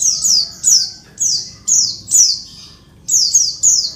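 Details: Female Oriental white-eye calling to provoke males into singing: thin, very high notes that slide downward, in quick pairs and singles, about nine in four seconds, over a faint low hum.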